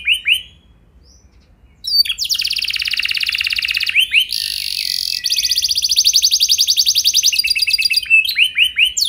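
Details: Canary lure song to make other canaries sing with long rolls: after a near-silent start, long buzzy rolling trills broken by short whistled notes, closing with rising chirps.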